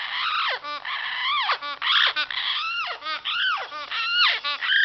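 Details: Amazon parrot hen making a spring-only vocal display: long, rough, wavering calls that arch up and fall away, run together with few pauses, strained and almost crying in tone.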